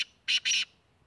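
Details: Black francolin (kala teetar) recorded in Tank, Khyber Pakhtunkhwa, Pakistan, giving two loud harsh rasping notes in quick succession after a brief clipped sound, then silence.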